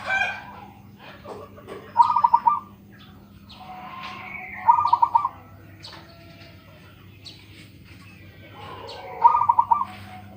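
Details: Local zebra dove with a big voice, singing three rapid stuttered coo phrases spaced several seconds apart, each a quick string of beaded notes. Scattered chirps from other birds and a faint hum run underneath.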